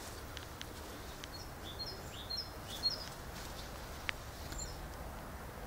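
Great tit giving a short run of faint, high, clipped two-note phrases at about half-second intervals, set against steady outdoor hiss and low rumble.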